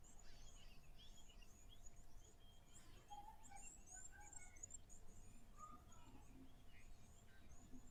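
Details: Blue waxbills at an African safari waterhole on 19 August 2024 give thin, high, scattered chirps and short tseep notes in an irregular stream over a steady low rumble of outdoor noise.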